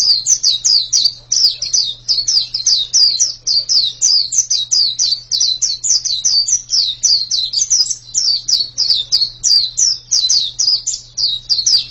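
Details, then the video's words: Long, energetic white-eye song of quick, shrill falling notes repeated without pause, over a steady low hum. "pleci yang sangat super itu kicaunya"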